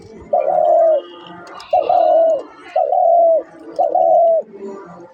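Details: Dove calling: four steady, mid-pitched cooing notes, each about half a second long with a slight rise at the start, spaced roughly one per second, over a faint low background hum.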